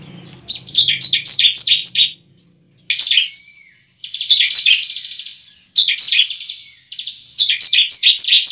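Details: Bar-winged prinia fighting song used as a lure to get a kept bird singing: rapid bursts of high, sharp, downward-slurred chirps about four per second, in phrases broken by short pauses.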